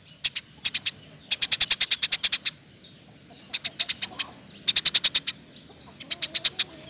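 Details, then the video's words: Eurasian tree sparrow in lively, dense song used as a training recording for cage birds: bursts of rapid, sharp high chirps, five to ten notes per burst, repeated in quick runs separated by short pauses. "Burung gereja gacor nembak rapet full alasan"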